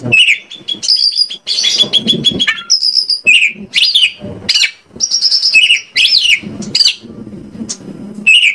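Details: Oriental magpie-robin (kacer) song played as a lure to get other kacer singing: clear whistled phrases and sharp rising and falling notes in quick bursts, separated by short pauses with soft low rustling between phrases.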